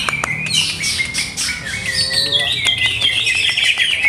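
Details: Caged greater green leafbird whose setup is still being tested pours out a bright, rapid song of high whistles and dense trilled chatter, building into a continuous warbling stream with sharp clicks.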